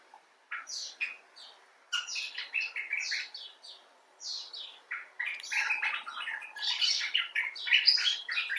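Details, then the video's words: Common bulbul (Pycnonotus barbatus) in expressive talk: clusters of quick chirps and chatter building into a dense, louder, bubbling run over the last three seconds. "Bulbul Talk: The Common Bulbul (Pycnonotus barbatus)"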